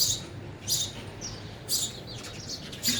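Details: Sparrows at a feeder while eating: a few bright, high chirps in short clusters, separated by pauses, with a faint low background hum.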